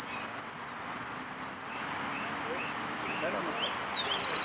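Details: Saffron finch entered in a singing contest, Nuevo Irupe, dated 22 09 13: a fast, very high, even trill of rapid notes lasting about two seconds. Afterwards come scattered chirps and slurred whistles from other birds, with faint voices.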